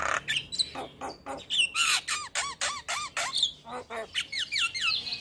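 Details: Morning song of a male Javan myna in full voice, packed with varied fill-in phrases: squawky bursts, then a quick string of arched, slurred whistles about four per second, ending with rapid zigzag chirps.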